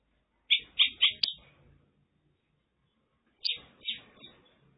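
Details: Mongolian lark in China: a few loud clipped chirps in quick series, then after a pause two more similar notes, with faint low background rumble.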